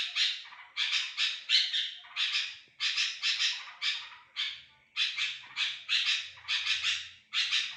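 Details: Lure recording of a sooty-headed bulbul meant to attract other bulbuls: rasping, noisy bursts in quick runs of two or three, short pauses between groups, with faint low hum underneath.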